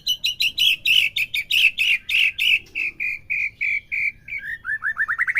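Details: Stimulating song of a white-rumped shama for a caged bird: rapid repeated notes that slow into a steady even series, ending with quick ascending chirps.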